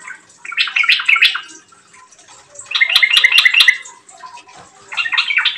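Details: Chatty yellow-vented bulbul singing as a lure for other bulbuls: three bubbly, rapid warbling phrases about one second long, spaced by pauses of roughly a second.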